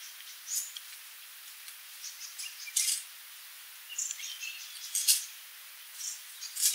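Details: Sooty babbler (Stachyris herberti) giving scattered, very high, thin chips and short squeaky notes at irregular intervals, several overlapping. A steady faint hiss sits in the background.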